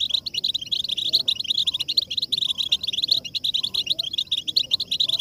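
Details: European goldfinch stimulation song, a motivational track to urge goldfinches into nonstop singing: an unbroken stream of bright, rapid chattering notes and jingling trills throughout.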